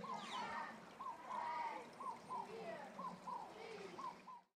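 Black-faced ibises give short, arched, nasal honks, about two a second, with lower notes overlapping from a second bird, over a steady wash of running water.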